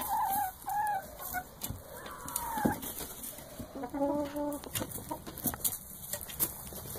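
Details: Chickens kept in a flock clucking and calling: short nasal notes and brief drawn-out calls at varied pitches, with clicks and background noise.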